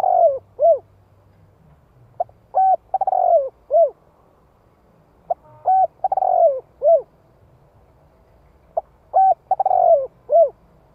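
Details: Decoy spotted dove, calling in the hạp voice to lure wild doves. Four repeated low coo phrases come roughly every three seconds. Each opens with short hoots, swells into a vibrating rolled coo and closes on a crisp note. The background is quiet.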